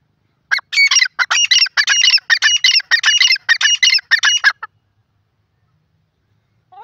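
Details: Grey francolin, teetar in India, delivering a loud, fast series of rasping, ringing notes for about four seconds before falling silent, followed by a brief lower note at the very end.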